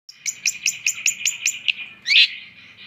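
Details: Long-tailed shrike (pented) song: seven sharp, evenly spaced chip notes about every fifth of a second, followed by one louder harsh grating burst that fades out.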